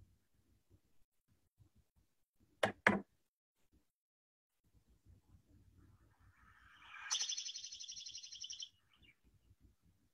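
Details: Dark-eyed Junco, a backyard winter bird and ground feeder there that leaves as spring nears: a fast, high, even trill lasting about a second and a half, preceded by two sharp knocks and a low background rumble.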